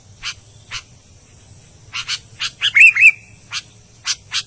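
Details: Scattered sharp chips from an albino sooty-headed bulbul, broken midway by a short pair of liquid whistled notes, then more spaced chirps.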